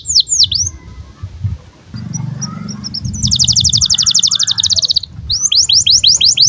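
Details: Canary in breeding condition (birahi) singing for use as a tutor for young canaries: sharp downward sweeps, scattered high chips, a fast buzzy trill lasting about two seconds, then quick down-slurred notes, over a low background rumble.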